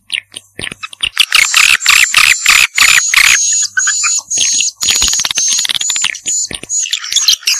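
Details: Vietnamese 'janda' swiftlet lure sound: harsh buzzy chatter at first, then a thin, high, sustained twitter with quick clicks and rasping notes, plus some background noise.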